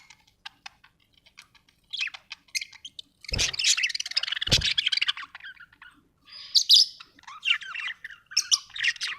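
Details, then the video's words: Happy budgerigar chirping: busy, high scratchy warbles and short squawky notes between 1 and 8k, in bursts with brief pauses, two sharp broadband clicks near the middle. "happy budgie chirping sound"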